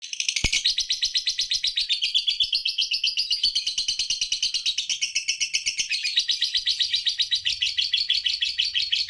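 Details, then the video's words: Three-month-old lutino lovebird (Paud lutino, red-eyed) singing in the tight-pause style: a continuous, rapid, buzzy chatter of high chirps, about four notes a second, running almost unbroken for nine seconds. "LOVE BIRD PAUD LUTINO MM USIA 3 BULAN JEDA RAPAT"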